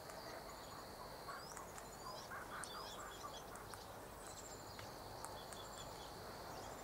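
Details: About seven galahs feeding on a late afternoon snack, 23 November 2013, give short, high, rising screeches every second or so over a steady insect-like hum and broad background hiss.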